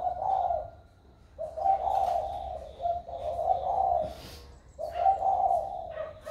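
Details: Low, warm coos from a spotted dove recorded 16 February 2020, a bird just gaining its mature voice, with four throaty phrases separated by short gaps.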